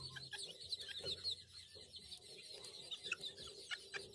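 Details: Young helmeted guineafowl keets, hatched by a chicken alongside one chick, let out to graze on grass for the first time, give a busy chorus of thin, high peeps and chirps.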